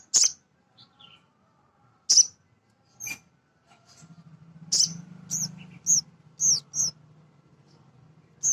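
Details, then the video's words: Male sunbird (sogon), a small nectar feeder, singing as a lure to excite other birds: sharp, very high chirps spaced a second or so apart, then a quick run of high notes over a low steady hum. "Suara Sogon jantan asli"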